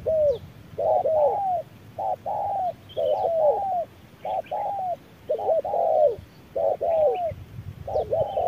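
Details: Midday duel in harsh sun between a wild spotted dove and an electronic decoy; overlapping coo pairs from two callers, hollow and downslurred, crowding together in a busy exchange.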